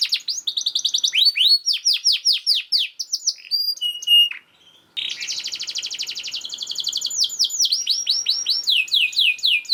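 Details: Canary song played as training material for other canaries: a quick run of falling notes and short whistles, a brief pause, then a long dense rapid trill leading into sweeping notes.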